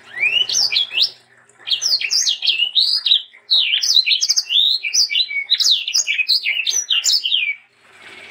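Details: Sanger bird singing vigorously, used as a tutor and lure for young sangers: fast chattering run of high, sharply bending notes, with a short pause near one second and a brief break before the end.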